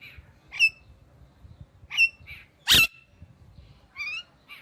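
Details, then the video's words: Indian ringneck parakeet giving short chirps, one long loud harsh squawk near the middle and a wavering trilled call after it, with faint low background noise. "Amazing Parrot Chirping Sounds"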